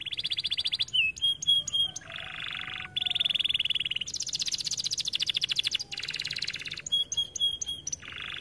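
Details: Energetic canary song meant as masteran for stimulating canaries to sing: alternating buzzy rolled tours and rapid sharp trills, with bright whistled notes between, rarely pausing, in an aviary setting.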